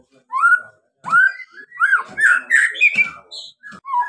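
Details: White-rumped shama singing to provoke other birds: a run of rich whistled notes, some rising, some falling, with brief clicks between them, delivered in quick varied phrases.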